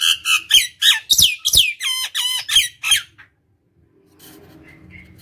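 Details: Nias hill myna singing to stimulate and lure other birds: loud squawks and falling whistled notes in quick succession for three seconds, then silence and a faint distant call.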